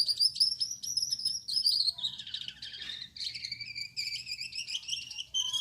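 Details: Singing at night, a male Gouldian finch (yellow back, red head, white breast) gives a high wheezy whistle with scratchy ticks, then descending hoarse buzzes and a run of squeaky, clicking notes; faint low hum beneath.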